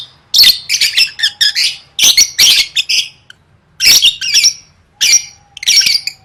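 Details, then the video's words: Lovebird singing for competition training, gacor gantang style: harsh, buzzy squawking bursts in quick clusters, broken by short pauses, with a faint steady hum underneath. "Suara Burung Lovebird III Latihan Gacor Gantang Siap Juara"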